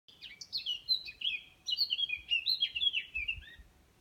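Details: Small grey or brown bird singing from a tall backyard tree in south-west France, heard every summer: a quick, varied warble of high twittering notes in two bursts, with a brief pause between.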